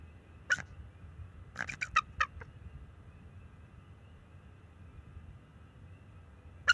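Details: Nest-camera recording, March 7, 2024: a young male bald eagle calls to keep an owl off the nest. One sharp squeal, then a quick series of five high, piping chitters, then a long quiet stretch with faint hum before another loud note.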